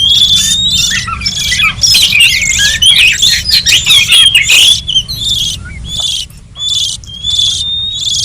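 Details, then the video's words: Oriental magpie-robin lure for wild forest birds: intense, tangled whistles and buzzy chatter for several seconds, thinning to sparse separate bursts, over a constant low hum. "Suara pikat burung kacer liar hutan ampuh"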